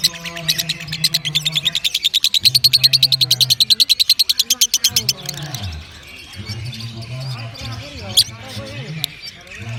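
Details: Lovebird delivering a long ngekek trill: rapid, evenly spaced high chattering notes run for about four and a half seconds, then scattered chirps follow; a steady low droning hum continues underneath throughout.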